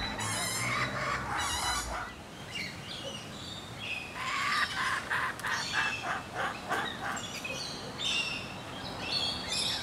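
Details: Laughing kookaburras in the wild in a backyard in eastern Australia, perched near a fence and gum tree, making chortling chirping noises rather than the full laugh; harsh, broken repeated notes in uneven bursts, with other bird chirps behind.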